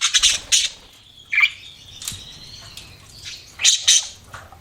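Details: Pet budgies chirping: a few loud scratchy high squawks and chirps separated by quieter gaps, with a faint thin whistle in between.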